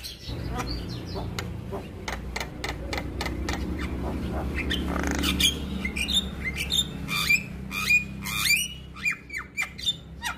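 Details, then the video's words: Male Javan myna in active song to draw other mynas into singing: opens with rapid clicking, dry pulses under a broad rushing noise, then turns to short sliding whistles and rasping notes, increasingly spaced toward the end. "Suara Jalak Kebo Jantan Gacor Bikin Burung jalak yang Dengar Ikut Buka Suara"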